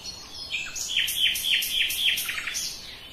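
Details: Common nightingale delivering a fast series of repeated sharp, downslurred notes, about three per second, loud and regular, set against a faint steady background hiss.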